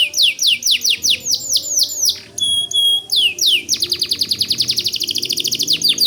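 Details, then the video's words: White canary singing hard: a run of falling whistled sweeps, two short pure tones, then a long fast trill of repeated notes. "Suara Kicau Kenari Putih Gacor Dor"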